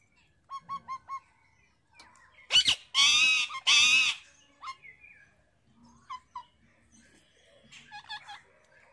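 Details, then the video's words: Wild parrot feeding on seeds: three short, clear whistled notes, then a rapid pair of shrieks and two long, grating screeches, followed by scattered brief chirps and squeaks. "jungali parrot Dana khate hue"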